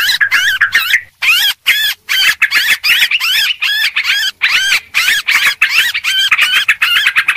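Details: Lure calls of a noisy Sooty-headed bulbul: quick, bubbly arched notes in fast bursts, with a couple of short pauses, bright and insistent.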